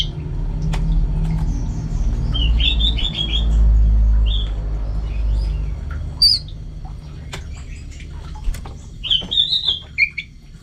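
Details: Orange-headed thrush, a kept songbird from North Bali, Singaraja, recorded at home, singing short clusters of high, quick, twittering notes in scattered bursts with pauses between, over a steady low hum.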